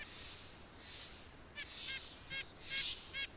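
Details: White-breasted nuthatch (Sitta carolinensis) giving short nasal, stacked calls spaced about half a second apart, with a high thin chip and soft background hiss.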